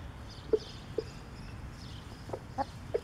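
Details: Rooster telling hens he has found food: soft, low, evenly spaced clucks, about five short notes over three seconds, separated by quiet gaps, with faint background bird chirps.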